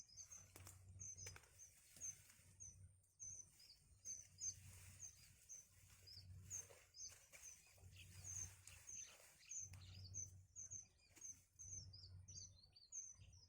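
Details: Baby birds in the nest, fed by their mother, give short, piercing high chirps repeated steadily, several each second for about thirteen seconds, with soft rustling and a pulsing low hum beneath.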